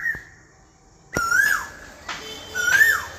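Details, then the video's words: Asian koel giving two loud whistled calls, each sliding upward then dropping sharply, about one and a half seconds apart, with a faint brief whistle at the start. "কোকিলের মধুর কণ্ঠস্বর original sound cuckoo"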